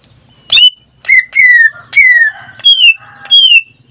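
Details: Pet greater green leafbird in a cage sings drawn-out descending whistles with strong overtones, five or six phrases in four seconds.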